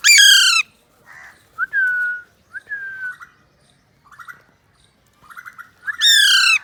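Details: Playing with a mobile phone, a pet talking Alexandrine parakeet opens and closes with loud harsh squawks. Between them come level whistled notes and brief bursts of soft chatter separated by silences.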